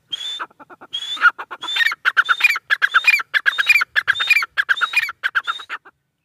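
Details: Grey francolin, female, giving a long dense series of rasping notes, about one and a half per second, topped by whistled rising strands, beginning with a few separate phrases.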